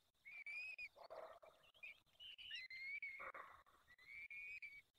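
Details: Evening feeding at a peregrine falcon nest in Poland's Barycz Valley, 23 April 2020, 19:28; a few thin, drawn wailing notes broken up by lower rough, scratchy sounds, with irregular ticking in the background.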